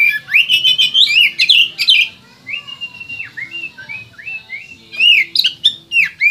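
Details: Oriental magpie-robin from West Kalimantan in loud, varied song. Rich warbled and whistled notes open the phrase, followed by sustained level whistles and quick slurs, then another energetic burst of sharp notes. A low steady hum runs in the background.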